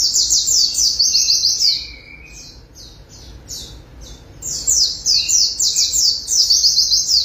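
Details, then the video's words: Bathed white-eye (Zosterops) in full persistent song: dense high rapid trills, a softer patch of spaced notes in the middle, then a return to fast twittering phrases. "Terapi Air Burung Pleci Langsung NGOTOT Ngalas Buka Paruh"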